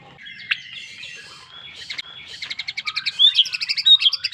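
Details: White-rumped shama song. Soft, thin notes lead into a fast, rhythmic series of bright chips that grow louder and more ringing near the close.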